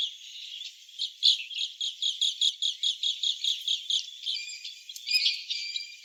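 Asian green bee-eaters give rapid, high trilling chirps in a quick repeated series.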